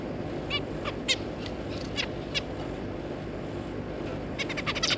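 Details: Two adult zebra finches with three juveniles, kept birds, 3 July 2022: a run of quick nasal tet-like calls, becoming a denser burst of sharp high notes at the end, over low room noise.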